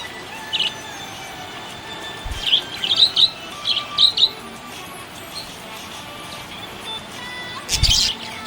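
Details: Happy budgerigar chirping: short bright chirps in small clusters around two to three seconds and four seconds in, then a louder burst near the end, over faint steady background tones.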